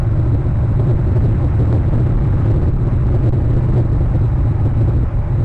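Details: Loud, continuous low-pitched rumble, like wind or traffic, dominates with no animal voice heard.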